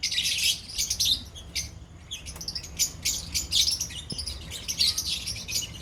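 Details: Many lovebirds in a colony give rapid, high-pitched chirps and squeaks in overlapping bursts with brief lulls, over a low background hum.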